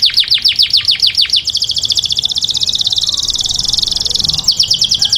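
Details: Taghreed canary song meant for training young birds: a run of sweeping downward notes gives way to a dense, rapid buzzing trill, then returns to descending chirps.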